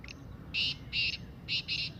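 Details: Black francolin giving its excited 'masti' calling voice: four harsh, rasping bursts in two pairs, each about a fifth of a second long, over a quiet background.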